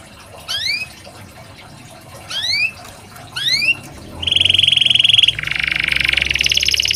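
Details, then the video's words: Canary master song for training lazy canaries to sing. Three separated rising upslurred notes are followed by two fast trills, the second lower and louder, over steady background hiss. "Ampuh KENARI malas bunyi, Terapi untuk kenari biar cepat bunyi, masteran canary"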